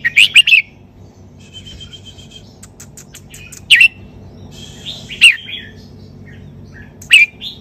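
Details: Red-whiskered bulbul, sai ble song style, giving short loud bursts of two or three bright chirped notes spaced a few seconds apart, with faint soft whistles between them.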